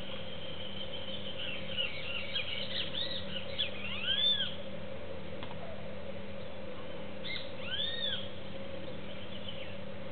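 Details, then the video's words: A juvenile cowbird at a feeder, vying with doves for seeds, gives scattered high chirps, then two clear arched, down-slurred whistled notes, one near four seconds and another near eight, with constant low hum behind. "Tordo Juvenil"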